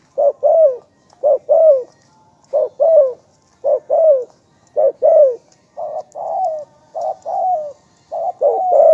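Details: Spotted dove calling continuously in a quiet setting. Repeated paired notes, a short hollow coo and then a longer falling one, come roughly every second and a half.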